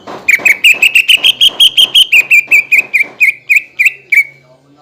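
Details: Greater green leafbird song aimed at getting raw and group-kept leafbirds to respond: a steady, rapid string of nearly twenty whistled notes, rising slightly then falling, evenly spaced and fading at the end.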